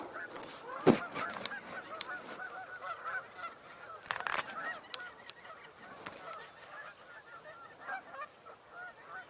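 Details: Flock of geese suddenly vocalizing heavily during an October 19, 2024 birding tour: overlapping nasal honks in a continuous busy chorus, with a few loud sharp knocks or claps.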